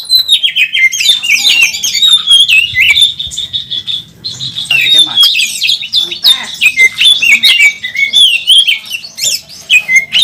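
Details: Oriental magpie-robin, first in a national contest, singing hard while competing with fluttering wings; a continuous stream of clear whistled notes around a steady pitch, quick warbles and rasping fragments, one short pause.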